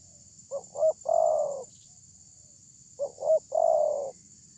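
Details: Lure call of a big-voiced spotted dove meant to provoke a reply: two phrases, each made of two brief rising coos and then a long, sustained, slightly sinking coo. A faint high hiss continues throughout.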